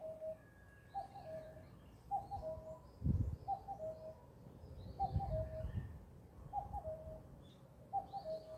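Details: A bird repeats a low two-note phrase with a held lower ending roughly every one and a half seconds, joined by faint high chirps from other birds and a few dull thumps.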